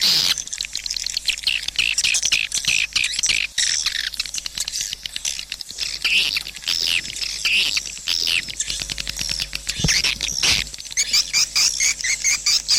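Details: A long run of swiftlet calls: crowded high chirps and ticking clicks, with sweeping whistled notes standing out toward the end and a low steady hum below.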